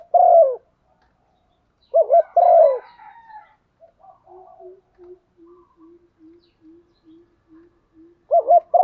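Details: Female spotted dove cooing to excite a male bird: falling two-part coo phrases open and close the recording, while a soft, low pulsed note repeats steadily in between.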